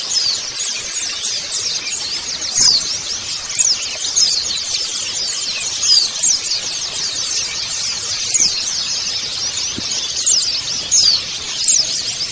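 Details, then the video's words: White-eye colony chorus played as a lure to coax birds into singing: unbroken wall of shrill, overlapping chirps and quick down-slurred twitters from many birds, with occasional louder notes standing out. "pancingan pleci agar buka paruh"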